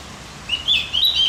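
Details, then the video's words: Javan grey-throated white-eye with a brief high song fragment to excite other birds: thin rising whistle sliding into a couple of quick chirps. "Masteran buat burung OPIOR JAWA agar tambah emosi"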